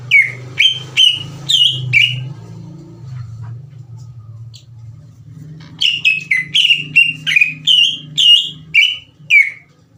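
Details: Greater green leafbird singing as a lure to stir the emotions of rival leafbirds: bursts of loud, ringing whistles repeated roughly twice a second, a quiet gap of a few seconds, then another fast whistled run. A faint low hum continues throughout.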